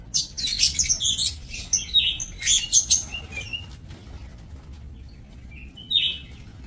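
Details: Lovebirds kept in an aviary, 7 June 2024, produce busy, high twittering and squeaky chatter for about three seconds, then a near-quiet stretch with a few faint chirps and one later squeak.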